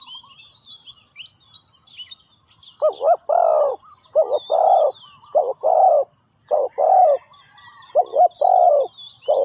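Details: Spotted dove kept as a decoy for trapping wild doves, giving low hoarse coos in pairs, a short note then a longer slurred one, starting after nearly three seconds of quiet; faint high chirps of small birds and a steady thin whine behind.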